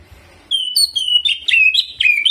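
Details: Caged greater green leafbird in lively jamtrok song filled with ciblek mimicry and ngeroll rolling. After half a second of quiet come clear whistled notes, then a string of quick slurred, warbling phrases.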